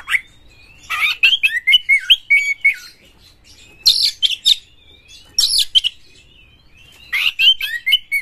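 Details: Oriental magpie-robin, tail opened, delivering a harsh lure song to stimulate other birds to sing. Three bursts of hurried song, each mixing scratchy buzzes with looping whistled notes, separated by brief silent gaps.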